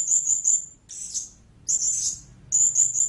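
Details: Loud, high, sharp squeaky notes from a blue-crowned hanging parrot in quick pairs and buzzy bursts, repeated roughly every second.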